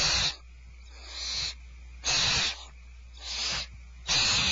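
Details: Barn owls at Starr Ranch at feeding time, 2/1/12: loud drawn-out hissing screeches alternating with softer, longer hisses, roughly one per second, over a faint low hum.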